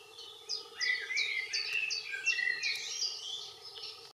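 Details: A common chiffchaff sings its run of bright, high notes alternating up and down, two or three each second, with a common blackbird in the background and a steady low droning hum.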